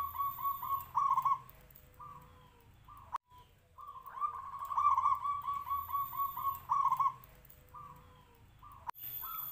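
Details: Zebra dove, a local bird of Noyorono katuranggan, cooing in two long phrases of fast, evenly beaded low notes, each followed by a few short separate coos; sharp clicks break the gaps between phrases.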